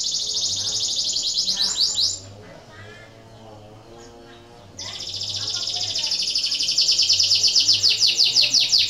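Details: Breeding-condition canary in full song, meant to stimulate other canaries into singing: a continuous high, rapid rolling trill breaks off for about two seconds of near quiet, then resumes, growing louder and pulsing steadily.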